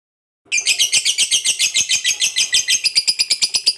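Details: After a brief silence, a fighter lovebird launches into its long ngekek, a shrill, buzzy rattle of rapid evenly spaced pulses that keeps going without a break; such birds are used to provoke rival lovebirds.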